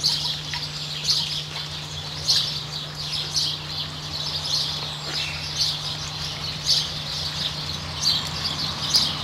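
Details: Variable oystercatcher with a chick in New Zealand, giving sharp high piping notes repeated irregularly about every two seconds, some louder than others, over a steady low hum throughout.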